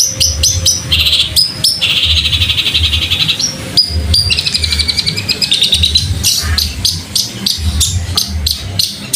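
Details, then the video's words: Long-tailed shrike training recording for cage birds, in a fighting-sparrow style with fast rolls: sharp high chirps and clicks, with two long buzzy rattling trills in the middle, over a steady low rumbling hum. "Masteran Cendet suara gereja tarung roll speed gacor"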